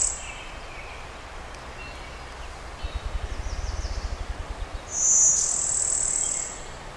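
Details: Brewster's warbler, a Blue-winged by Golden-winged hybrid with Blue-winged type song, Western Pennsylvania woodland in May, cloudy: faint high notes, then one loud thin buzz near the end, while low Ruffed Grouse drumming thumps speed up in the middle.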